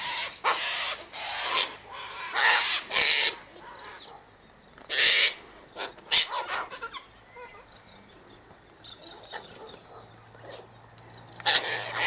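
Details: Feeding on scattered sunflower seeds, wheat and birdseed at an eastern gate, Sulphur-crested cockatoos produce repeated coarse, screeching squawks in clusters, a quieter middle with soft distant calls, and another harsh burst at the close.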